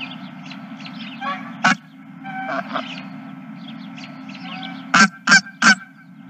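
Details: Geese honking, with scattered softer calls early on, then a loud burst of three sharp honks in quick succession near the end, over a steady low hum.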